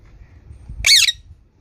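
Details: Green parrot letting out one brief grating squawk that bends downward, preceded by faint low rumbling background noise.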